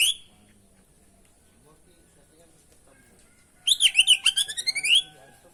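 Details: Oriental magpie-robin (kacer) in full varied song for training birds: a short opening whistle, a long quiet stretch, then a quick, rhythmic series of bright, bouncing, warbled whistles repeated several times per second.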